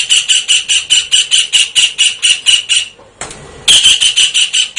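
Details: Kingfisher calling energetically, a long rapid string of about fourteen evenly spaced shrill rasping notes, a short noisy break, then the quick series starts again.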